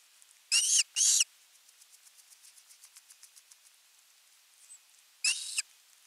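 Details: Osprey at a nest in Finland, August 2021, begging for fish. Two harsh screeches in quick succession, then a series of faint soft ticks, and another rasping call near the end.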